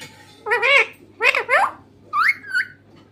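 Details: Talking green parrot utters three quick wavering, word-like syllables in close succession, then ends with a higher, thinner whistled note.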